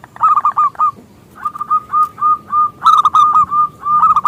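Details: Local zebra dove with a loud, big voice, used to lure other doves into singing: a stuttering run of warbled coos, then steady mellow notes repeated about three times a second.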